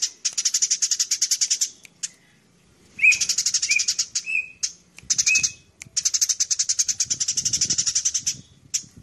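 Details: Eurasian tree sparrow giving fast bursts of harsh, even chirps, about eight a second, in runs of two seconds, with a few short whistled notes between.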